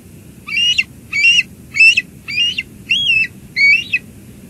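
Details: Two Harbors bald eagle nest, 17 July 2022, during a lunch delivery from an adult to the young eagle: a series of six shrill, squeaky chirps, each slightly wavering, repeated roughly every 0.6 seconds against a faint low rumble.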